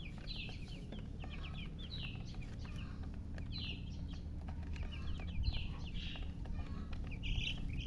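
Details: Baby chicks, colourful poultry chicks said to be thirsty for drinking water, giving high, short chirps in scattered bursts over a steady low hum, with faint clicks and rustling.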